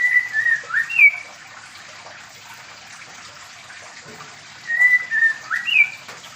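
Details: White-rumped shama from Medan, housed in a mini aviary for pairing, sings two matching whistled phrases, each a level note, a dip and an upward-sliding flourish, separated by several seconds of hiss.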